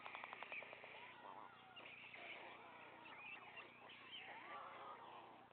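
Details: Three young white storks on their nest while the male parent brings food; a brief burst of rapid clicks opens, then drawn-out wheezy, whining calls overlap against a steady hum.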